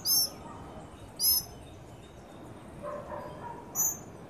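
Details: Tropical mockingbird family, including babies, eats at a birdfeeder in Trinidad. Two loud, shrill, slurred squeaks come a second apart, then softer lower notes, then a final high squeak.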